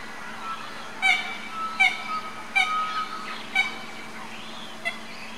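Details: An Australian brush turkey chick gives short, sharp, clicky chirps about once a second, some with a thin whistled trail, over a steady low hum; Brisbane Botanic Gardens Mount Coot-tha, Queensland, Australia, 26 December 2012.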